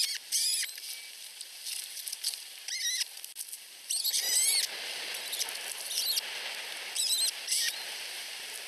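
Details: Two very young osprey chicks at a nest in Finland compete for food from their mother, giving repeated clusters of shrill, wavering chirps in several bursts, with steady windy hiss and faint rustling between.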